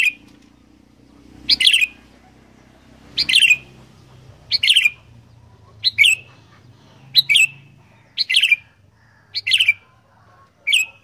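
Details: Sooty-headed bulbul in 'fighter' singing style; short, bright bubbling phrases repeated roughly every one to one and a half seconds, each a quick burst of liquid notes with clear silence between, about eight phrases in a row.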